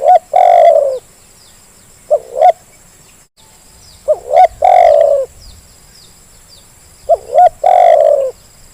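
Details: Zebra dove calling as a lure to get lazy birds vocalising, with repeated phrases of two short upswept notes followed by a loud, burry, sustained coo, about every three seconds; light insect chirps underneath.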